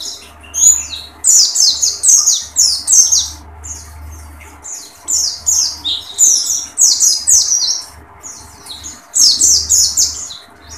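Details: Oriental white-eye, dakun pleci, in tembakan song: short bursts of shrill, scratchy twittering phrases, each under a second, repeated with brief pauses throughout, low background hum.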